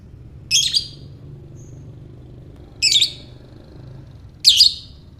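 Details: Lovebird ngekek, a call for provoking other lovebirds: three loud, screechy chattering bursts roughly every two seconds, separated by near silence over a soft low hum.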